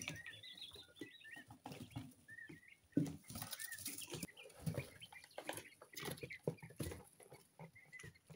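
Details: A brood of two-week-old coturnix quail chicks in mixed colours, healthy and kept for hatching and rehoming. Many thin, high peeps overlap and come in quick bursts amid frequent rustling and handling knocks.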